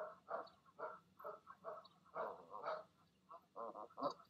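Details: Goose parents at the nest in the evening, arguing and urging goslings to jump; broad, harsh grunting honks in paired bursts with brief pauses.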